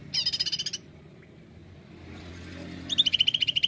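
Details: 'Nembak' song of a greater green leafbird, used as a lure: two rapid chattering bursts of high, harsh repeated notes separated by about two seconds of quiet with low background hum.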